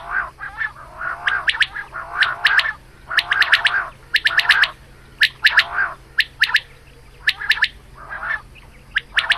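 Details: Female quail calling in the morning, recorded for hunting: bursts of harsh, chattering notes with sharp clicks, about one burst a second, separated by short silences, with a low steady hum underneath.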